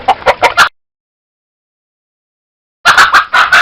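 A chicken clucking in two quick bursts of four or five short, rough, mid-pitched notes, with a silent gap between them.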